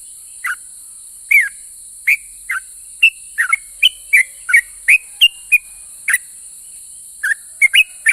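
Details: Lively sooty-headed bulbul whose song makes other bulbuls respond: scattered then quickening whistled chirps, some falling, a gap near the sixth second, then more notes, all over a steady high hiss.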